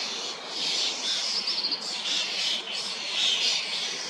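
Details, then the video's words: Young common starlings, fledged from nestboxes, fed by adults among hundreds feeding in an old, tall sweet cherry in Hrodna, western Belarus, 2 June 2025, summer; harsh, hissing rasps overlap continuously, swelling in repeated bursts every second or so. "Adult Starling feeding young one by sweet cherry"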